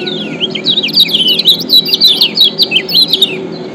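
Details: Lombok kecial kuning white-eye used as a lure to make quiet birds sing: lively, unbroken run of bright high chirps and zigzag whistled notes, fast and jumbled, over a faint low drone.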